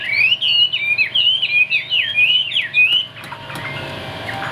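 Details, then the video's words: Vietnamese caged Chinese hwamei sings three seconds of fast, loud, twisting whistles, then falls quiet, leaving faint background noise. "Bộ khủng hót cực tốt, đuôi lá vả, hót cao cầu | Họat Họa Mi"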